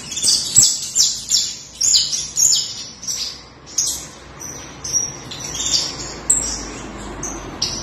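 A canary sings a bright, high song of rapid trills and sharp chirped phrases, with bursts of notes tumbling out in quick succession and no other sounds.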